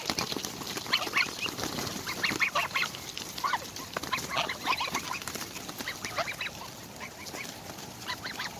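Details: Four greedy greylag goslings being fed beside their parents give a dense chorus of high, thin peeping calls while pecking and fighting, with deeper honks from the adults and a person speaking nearby.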